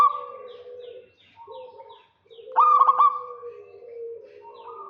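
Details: Local zebra dove luring a rival with 'kerot' calls: faint repeated high chirps over low drawn tones, then a single loud burst of choppy ringing notes, followed by long soft sustained coos.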